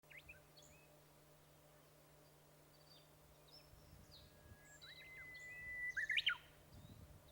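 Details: Japanese bush warbler in the wild: a long, steady whistled note, then a quick, loud, rising-and-falling flourish near the end. Thin, high chirps from other birds are scattered throughout, over a low, constant hum.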